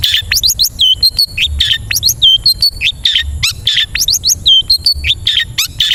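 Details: Long-tailed shrike song, used to teach caged birds to sing: a dense, quick medley of high chirps, upward-flicked whistles and short squawky notes, tumbling on with no pause.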